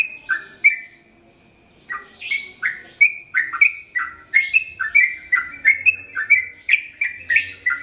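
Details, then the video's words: Sooty-headed bulbul singing a long, rapid song: after a brief pause, a quickening run of liquid, slurred chirps, each note sliding up or down, packed closely together. "Trucukan Gacor ROPEL PANJANG"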